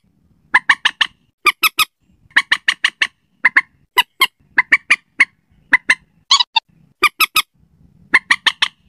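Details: Slaty-breasted rail used as a night lure: dense, irregular runs of sharp, rasping notes, often four in quick succession, with one short squealing screech midway.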